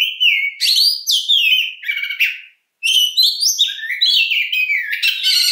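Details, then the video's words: Loud, varied long-shooting song of an Oriental magpie-robin: upslurred and downslurred whistles, harsh buzzy bursts and quick chirps, broken once by a short silence before another lively run of phrases. "INGIN KACER NEMBAK PANJANG , Dengarkan Suara Kacer yang Satu Ini !!!"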